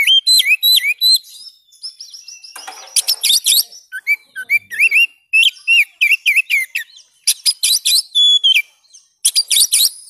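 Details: Continuous kacer song, valued as fill material for training other birds, delivered by an Oriental magpie-robin: quick whistled upslurs alternating with harsh, scratchy notes in rapid series, with barely any pause for ten seconds.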